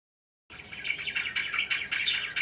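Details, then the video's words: Parakeet chirping: after a half-second of silence, a dense, continuous chatter of high, warbling chirps and twitters begins, with sharp accented notes roughly every quarter second. "BEAUTIFUL CHIRPING NOISES"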